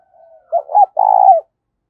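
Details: Spotted dove decoy cooing to provoke wild birds: a soft lead-in note, a short double coo, then a long buzzy sustained coo ending with a downward slur.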